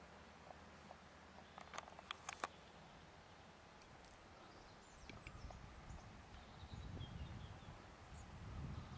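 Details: Western capercaillie, a display-crazed male, giving dry knocking clicks that speed up into a quick burst with a final sharp pop, followed by low rumbling and rustling in a quiet natural setting.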